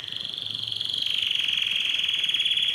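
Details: Canary song played to stimulate mating in males and females: one continuous, fast pulsed roll at high pitch, growing steadily louder and slightly lower over its length.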